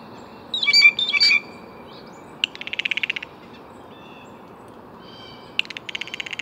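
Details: Blue jay giving two loud harsh calls, then a quick even series of clicking pulses and a later softer pulsed run in a quiet background.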